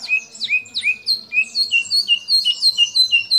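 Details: Singing white-rumped shama whose song carries copied calls of kapas tembak, cililin, lovebird and canary; clear, downslurred whistles, then flat piping notes, delivered quickly and evenly, nearly three per second, with no other sound.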